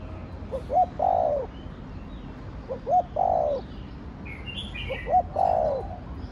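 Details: Cu gáy, the spotted dove, in the thổ đồng voice used to spur other doves to coo. It gives three phrases of short clipped notes and a long sliding coo, roughly every two seconds, with faint twittering birds behind.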